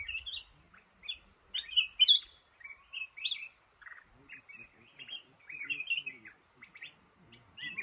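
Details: Red-whiskered bulbul, a male held in a trap in a cashew garden, delivers a steady run of short, fluty, rising and falling whistled notes. There is faint low knocking in the background.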